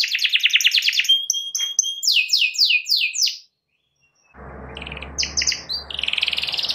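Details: Canary in full song meant to goad a rival into singing: fast buzzy trill, thin whistled notes and downslurred chips, a brief silence, then renewed trills over a low rumbling noise.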